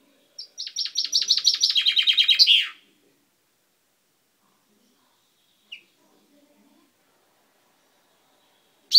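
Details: Indoor caged chaffinch, 10/05/12, beak recently gone purple, gives one accelerating descending trill of high chipping notes ending in a terminal flourish, followed by silence and a single brief note near the end.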